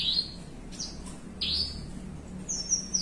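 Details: Relaxed caged Horsfield's bushlark in melung panjang singing: four bright high whistles, some sliding upward, others flat and drawn out, with short gaps between and a faint low hum beneath.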